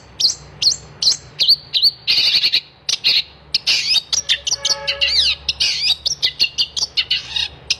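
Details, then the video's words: Long-tailed shrike singing energetically in a tutoring recording meant to coax silent shrikes back into song: high scratchy chirps and quick rattling phrases, becoming a dense jumble of varied, mimicking notes midway, then clipped chirps again. "kicauan cendet gacor"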